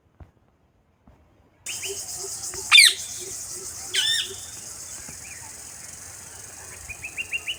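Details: Parakeet giving a sharp harsh squawk and then a shorter rasping note over steady high hiss, with faint chirps near the end and a soft repeated low tone early on.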